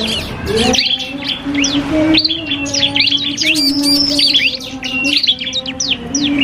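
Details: Iora, cipoh kristal type, duelling a prinia on a songbird training recording: scattered sharp chirps at first, then denser whistled upslurs and twitters, over a quiet continuous low hum.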